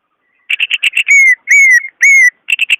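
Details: Caged greater green leafbird song to stimulate a bird that is slow to sing: quick chattering notes, then three long clear descending whistles, followed by more fast chatter.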